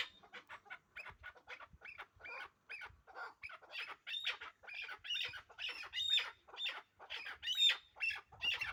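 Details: Pair of hybrid chukar partridges calling in a rough, scratchy series that starts soft and builds louder, with notes spaced under a second apart and some sharp squeaky peaks near the end.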